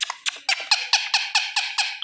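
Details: Pet Indian ringneck parakeet, a green parrot, calling loudly indoors: a run of harsh, high, rasping screeches repeated about every fifth of a second, nine in a row, evenly spaced.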